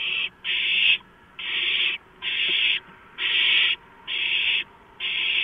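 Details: Nestling owls grabbing at a large rodent brought to them after midnight, March 2015. Seven loud hissing screeches, steady and rasping, pulse at just under one per second.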